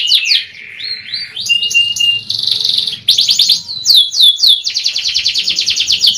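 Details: Young canary singing for luring: swooping whistles, a long pure note, buzzy trills, then quick downswept notes and a fast even trill.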